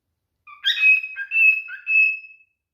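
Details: Courting male cockatiel gives one whistled phrase: a short low note, then a bright sustained whistle broken by two lower warbled dips, about two seconds long.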